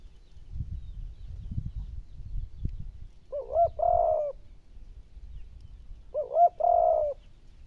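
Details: Spotted dove cooing to stimulate hard-to-provoke decoy birds to coo: two phrases about three seconds apart, each a couple of short rising hooted notes running into a longer level coo, over a low rumbling background.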